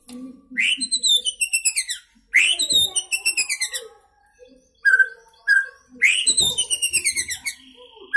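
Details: Young captive white-rumped shama, newly past juvenile plumage, singing from one spot: three bursts of fast, rattling notes that step downward, separated by brief clear whistles and quiet gaps, in a small indoor space.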